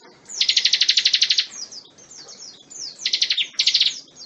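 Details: Bar-winged prinia song recorded as a tutor for magpie-robins: a crisp series of about a dozen rapid repeated high notes, softer twittering, then two more short trilled bursts.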